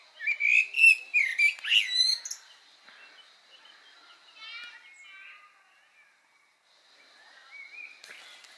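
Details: Common blackbird, filmed June 22, 2020 while eating berries, gives a quick burst of high, chirpy, warbling notes for about two seconds, then softer scattered twitters follow.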